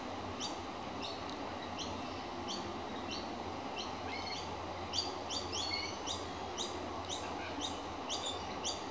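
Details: A young magpie calls out to show it is hungry, giving short, harsh, scratchy calls repeated rapidly, several per second, over a steady low rumble of distant traffic; recorded 13 October 2015 (131015).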